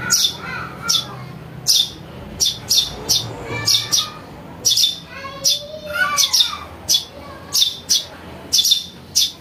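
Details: Juvenile house sparrow chirping for luring wild birds: coarse, buzzy notes repeated in pairs, mixed with faint rising whistled notes from other birds in the background.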